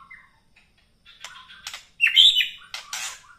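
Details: White-rumped shama morning song meant to raise fighting spirit: varied scratchy bursts and short whistles, building to a loud, sweeping warbled phrase and harsh chattering notes.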